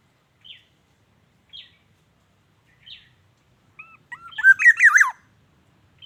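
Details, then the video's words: Wild black-naped oriole, a forest bird: a few faint short chirps about once a second, then a loud, fluty, warbling whistled phrase that rises and falls over about one second, with quiet surroundings. "suara asli kepodang emas,suara panggilan dan pikat kepodang liar"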